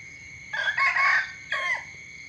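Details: Rooster giving a morning crow: a rough, harmonic burst of about a second, a short pause, then a briefer falling note, with a steady shrill buzz behind it.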